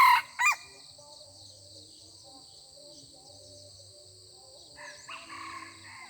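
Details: Red junglefowl rooster exchanging greeting crows with a decoy bird, not yet in a fighting mood: a sharp crow fragment opens, then quiet insect hum and a fainter, more distant crow near the end.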